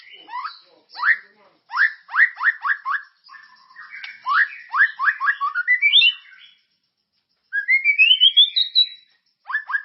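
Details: Shama lure song meant to stimulate caged birds, continuous and characterful: series of quick upslurred whistled notes in rapid bursts, a soft warble, then a rising chain of high notes before more upslurs.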